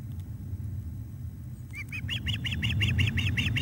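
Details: Osprey bringing fish to the nest, 17 July 2021, 19:48. After near silence, a brisk chain of piercing, slightly rising chirps starts and grows louder, repeated about four times a second. A low rumble persists.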